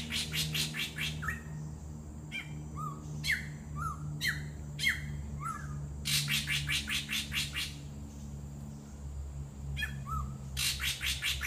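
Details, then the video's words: Drongo calling at Dairy Farm Nature Park on 24 September 2014 at 10:54 am, showing its vocal repertoire: harsh broadband bursts alternate with short rising whistled notes in an irregular, rapid series over a steady low hum. "Drongo calls in Dairy Farm Nature Park"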